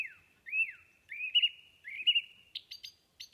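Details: Thrush song made of clear, arching whistled phrases that rise and fall, each drawn into a steady held tone. They end in a quick series of short buzzy notes, in quiet surroundings.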